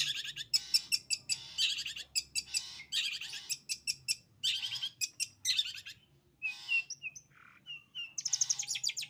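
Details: Long-tailed shrike singing in the sembur style: dense bursts of harsh, buzzy and chattering high notes, rapid and varied, broken by brief pauses, then thin whistled slurred notes and a final scratchy burst.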